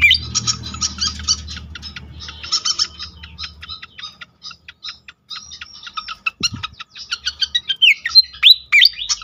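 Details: Pied fantail lure song: several seconds of fast chattering chips, a brief pause with one low thump, then loud squeaky, sliding whistled notes near the end over low background rumble.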